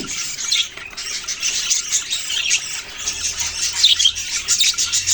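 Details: Chirping budgerigars form a steady, busy chorus of high, buzzy twitters and quick warbles from several birds at once, with a faint low hum in the second half.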